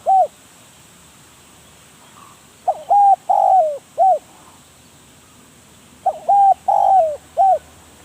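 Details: Decoy spotted dove gives two cooing phrases, each a quick short note, a level hollow coo, a longer coo sliding downward and a clipped final coo, separated by about three seconds of quiet.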